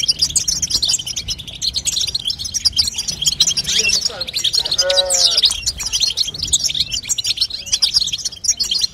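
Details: A female European goldfinch twitters to push a young goldfinch to sing; dense high chirping runs throughout, and about midway a lower, drawn-out whistled sound with stacked harmonics briefly overlaps before the chatter carries on.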